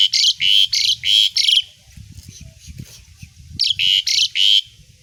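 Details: Energetic Asian pied starling song meant for training other songbirds: two runs of rasping, broadband notes, roughly three per second, separated by a quiet gap of about two seconds filled with soft low rumbling.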